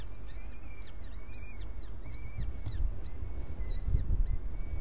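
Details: Starling at breakfast with scattered, thin arched calls, some short and some drawn out, irregularly spaced over steady low noise.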